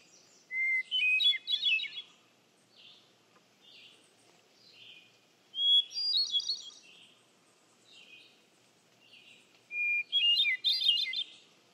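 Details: Hermit thrush singing three flute-like phrases about every four and a half seconds. Each opens on a clear steady whistle and runs into a quick, shimmering cascade of higher notes, with faint softer phrases between.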